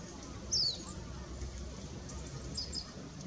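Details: An Oriental greenfinch, recorded 12 January 2017, gives one sharp, high, falling note, then a few faint, thin twittering notes against a steady low outdoor hum.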